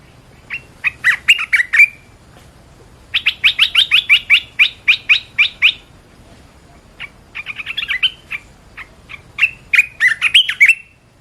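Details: Red-whiskered bulbul chattering 'gacor' song: bubbly whistled phrases, then a steady string of about a dozen similar rapid chirps, followed by more rambling warbles at a fast pace.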